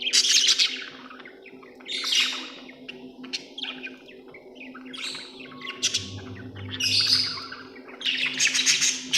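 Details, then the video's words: Budgerigars trading bursts of noisy, buzzy chirps and warbles every one to two seconds, with quieter gaps and a constant low hum. "Australian beautiful birds sound 😍 budgie chirping sound 🥰"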